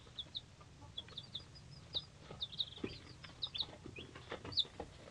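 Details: A crowd of three-day-old chicks of assorted breeds such as Cochins, Buttercups and Leghorns calls with shrill peeps, clipped high notes tumbling over one another in uneven bursts, with faint scratching underneath.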